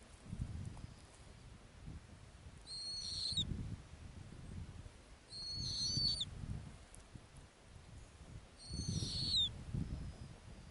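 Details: Snowy owl at its nest on the Arctic ground calls three times in about ten seconds. Each call is a short, high, whistled note that slides downward at the end. A soft low rumble of wind runs underneath.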